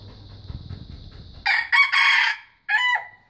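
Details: Young wild red junglefowl, a growing bird learning to crow: after a steady high whine and low hum, a rough, broken crow comes in three harsh bursts, then a short trailing note cut off abruptly.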